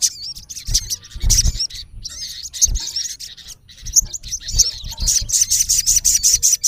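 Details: High, rapid chirping and twittering trills from a male olive-backed sunbird calling a rival, ending in a fast run of evenly repeated sharp notes; low thuds in the background.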